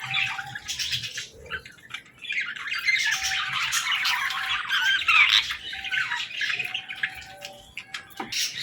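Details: Budgie chicks playing and talking: a long stretch of loud, continuous buzzy squawking and warbled chatter after a brief opening burst, with steady low hum beneath.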